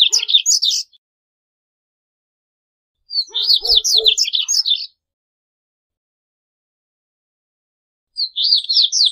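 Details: Singing corbatita seedeater, song offered for teaching birds and luring them: short phrases of sharp, high twittering notes repeated with long silent gaps, with a faint low knock during the middle phrase.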